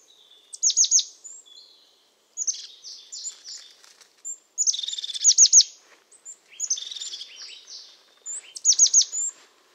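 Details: Crested tit, resident in pine forests of Portugal, singing high sharp downslurred notes in quick clusters with purring, buzzy trills between, phrases spaced a couple of seconds apart.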